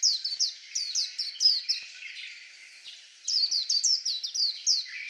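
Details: White-eye pouring out high, rapid down-slurred notes in two lively phrases split by a brief quiet stretch, the notes bright and tightly spaced.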